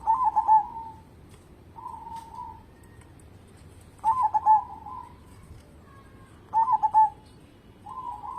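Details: Local zebra dove singing vigorously, used as a lure to get other birds singing: soft, rolling cooing phrases near one pitch, each opening with quick stuttered notes then a drawn-out tail, repeated about every two to three seconds.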